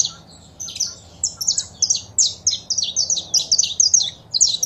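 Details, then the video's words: Saffron finch, female calls with a singing male, played to stimulate a pet bird: a brief chirp, a short pause, then a steady flow of high, bright, downslurred notes in quick clusters, soft low hum behind. "Foguea seu Canário da Terra com Esse Piado de Fêmea e o Macho Cantando"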